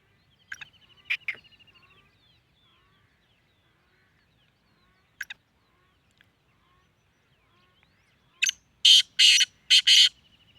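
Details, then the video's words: Black francolin (kala teeter) in Sindh, Pakistan: a few scattered thin chirps early on, then a burst of four loud, harsh, rasping broadband notes close together near the end. "Kala Teeter sindh Pakistan"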